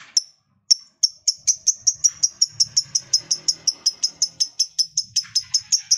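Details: Lovebird in ngekek chatter meant to set other lovebirds singing: after two isolated squeaks, short piercing high notes repeat rapidly and evenly, nearly three per second, for about five seconds.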